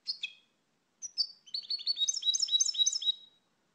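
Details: A pair of sharp chirps, then a quick accelerating series of liquid, tinkling notes climbing in pitch, typical twittering of the European goldfinch, with nothing else audible.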